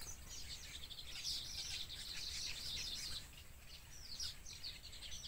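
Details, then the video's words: Wild baby birds in a nest begging their mother for food: a dense, high chattering of thin chirps, rising in intensity and then tapering, with a low background rumble. "Baby Birds Pulls Mother Down Because They Want Food"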